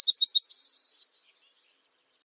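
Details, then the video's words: Yellowhammer song ending: a few rapid high chips lead into a long, level drawn-out note, followed after a brief pause by a thinner, higher note that slowly falls in pitch. "Yellowhammer Bird Sound Effects"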